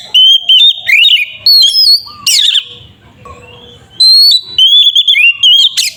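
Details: Kacer (oriental magpie-robin) singing loud ngeplong phrases to provoke another bird, steady high whistles broken by a harsh rasping burst, a quiet lull, then renewed bright whistling.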